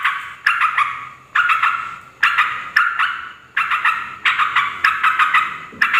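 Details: Yellow-vented bulbul noisy call used to provoke rival bulbuls into replying; short grating rattles in bursts of two or three sharp notes with decaying tails, about eight bursts in all.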